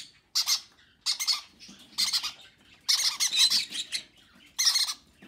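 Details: Baby conures being fed by their parents, recorded February 6: harsh, raspy squawking bursts, about five strong ones in five seconds, each a burst of rapid grating pulses, with softer scratchy rasps between them.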